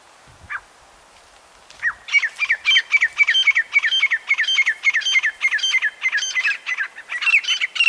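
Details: A single sharp note, then a grey francolin (teetar) launches into a long, loud series of ringing, harsh repeated notes, about two per second, continuing steadily through the recording in open rural surroundings.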